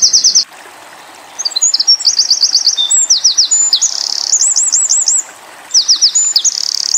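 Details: Eurasian wren song used to train white-eye birds: piercing, rapid trills and rolling looped notes in lively phrases with two brief pauses between them.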